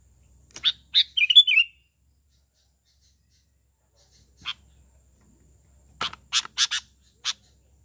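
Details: Sooty-headed bulbul uttering calls aimed at other bulbuls: clean, quiet background with scattered sharp chips, a short burst of bubbly, warbled notes early on, then a later cluster of four quick chips and a final single note.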